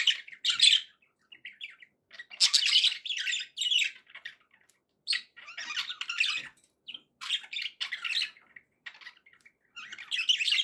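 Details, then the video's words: Budgies warbling in scattered bursts, buzzy chatter and short squeaks separated by brief quiet gaps, meant to keep a pet parrot company and prompt it to eat and sing. "budgie sounds to encourage your parrot to eat and sing"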